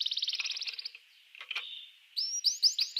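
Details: Canary song used to get rival canaries singing: a fast high buzzy trill for about a second, a short pause with scattered notes, then a run of sharp rising whistled notes repeated about five times a second.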